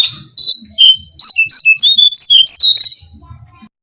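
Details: Brown-cheeked fulvetta song played as a bird-catching lure: brief opening whistles, then a fast run of sweet slurred whistles wavering up and down for about two seconds over a low background hum.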